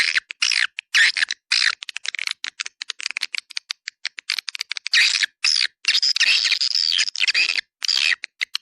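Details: Swiftlets in a lure recording called 'Dua Bidadari', used to attract swiftlets. Dense, buzzy, rapid chattering trills in uneven bursts, separated by short gaps.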